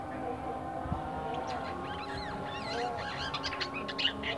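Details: Twisting whistled notes rising and falling, in quick varied phrases, from a caged black-winged myna bought cheaply in a bulk lot at a bird market, its song still in the early twittering stage, over a constant background hum.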